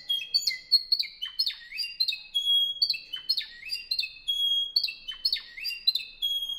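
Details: Song of a Spanish Timbrado canary from 2015, club-bred in Albacete: clear ringing phrases of stacked whistles dropping in pitch, roughly one per second, with a few sustained high pure tones between them and a quiet background.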